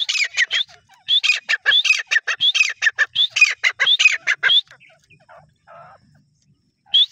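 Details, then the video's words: Grey francolin (teetar) giving loud, ringing, rapidly repeated shrill notes in rhythmic bursts for about four seconds, then falling quiet before one more call. "Teetar ki awaz | Desi Teetar ki awaz | Teetar boli | Teetar voice | Teetar sounds"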